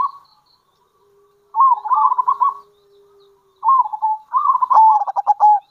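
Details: Local zebra dove calling kerot and bekur to attract other zebra doves; a short coo, then three rolling phrases of rapid stuttered notes, the last ending in a choppy staccato rattle, a faint steady hum underneath.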